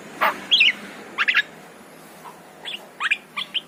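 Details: Yellow-eyed Javan myna song for luring a pet myna: sparse bright chirps and short whistled double notes separated by brief pauses, against a faint background hiss.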